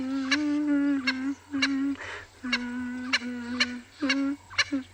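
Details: A Swainson's spurfowl, standing on a perch, crows loudly at Ngala Private Game Reserve, South Africa, on an afternoon game drive on 8 May 2020. Its harsh, grating, nasal notes come in a rapid run of several per second, rising to a strained climax over a low engine hum.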